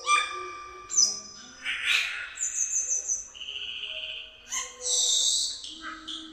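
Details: Lively cucak keling song meant to prompt other birds into singing: varied whistled notes, harsh rasping bursts, a short run of quick notes, then long steady high whistles and a lower held tone.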